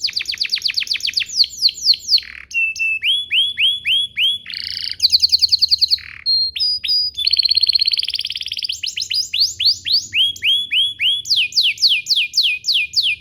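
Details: A canary sings a long, varied song, used as a lure to prompt other canaries to sing, of rapid trills, rolling tours and bright whistled notes, switching phrases every second or two.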